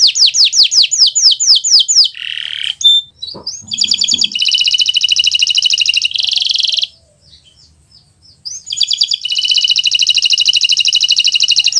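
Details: Kenari Nusantara canary singing a master song for learning birds: rapid descending notes, a harsh nasal phrase and short chip, two sustained buzzy trills, and a brief silent gap between them.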